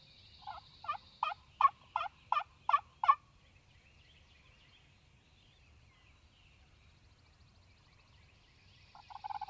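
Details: Mississippi Wild Turkey gobbler on a spring morning: an accelerating run of about eight loud pulsed notes over three seconds, a long quiet stretch, then a fresh burst of notes at the end.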